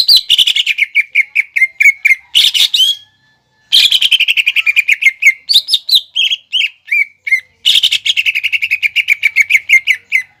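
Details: Greater green leafbird singing energetically in the 'nembak ngekek' style as a lure for juveniles to imitate. Long rapid volleys of clipped, descending whistled notes, with brief pauses and short varied warbled phrases between volleys.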